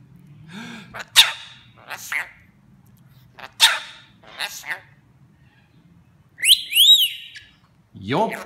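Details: Pet rainbow lorikeet imitating speech and sneezes: several short raspy, voice-like bursts, then a clear whistled rising-and-falling note around the middle, ending in a harsh buzzy phrase; a person speaks nearby.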